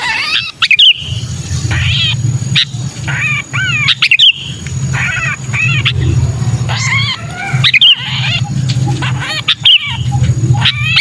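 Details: Sooty-headed bulbul distress call of a trapped bird, used as a lure for wary bulbuls: harsh, buzzy chattering notes with arched, wavering harmonics, repeated in dense overlapping bursts, over a steady low hum and sharp clicks.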